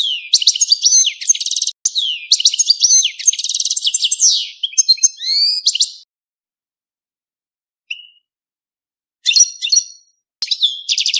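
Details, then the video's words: European goldfinch song linked to mating: dense bursts of high, tinkling twitter and rattling trills, then a long quiet gap broken by a single short note before more chattering phrases resume. "5 دقائق من تغريد الحسون بدون توقف .تزاوج الحسون. صوت رائع"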